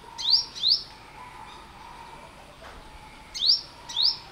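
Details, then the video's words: A sunbird, named as a yellow-bellied sunbird, gives sharp, high, rising chirps in pairs, one pair then a second about three seconds later, over a faint steady hum. "เสียงนกกินปลี Bird sound"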